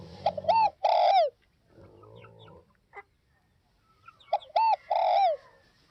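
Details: Northwest (Tây Bắc) spotted dove repeating its coo twice, several seconds apart. Each phrase has quick stuttering notes ending in a long, falling, mellow croo, with low murmuring and a brief click in the gap.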